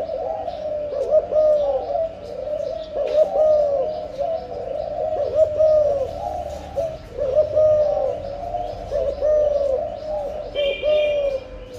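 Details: Spotted dove in breeding condition cooing in the 'âm lối' style: low, hollow coo phrases with a rising then falling shape, repeated steadily about every two seconds, with a brief thin high chirping near the end.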